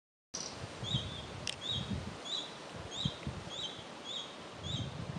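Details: Juvenile red-breasted flycatcher in the Chiemgau region calling with short, thin, high chirps repeated about twice a second over low rustling and rumbling background noise.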